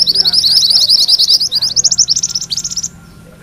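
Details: Mantenan kuning in ngerol rolling song for magpie-robin tutoring: rapid shrill notes for nearly three seconds, growing slightly slower and more spaced toward the end before falling silent.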